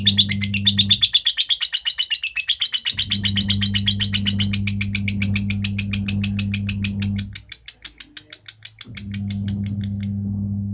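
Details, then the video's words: Lovebird described as 'konslet', kept in Kepanjen, Malang regency, East Java, pouring out a fast string of shrill chirps that settles into an even, insistent rhythm, over a low mechanical hum that cuts in and out. "Love bird bahadur KONSLET"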